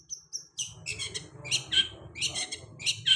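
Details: Long-tailed shrike lure song for a post-molt bird: two thin whistles, then loud, harsh, chattering bursts with sharp whistled tones, repeated irregularly over a low, murmuring background.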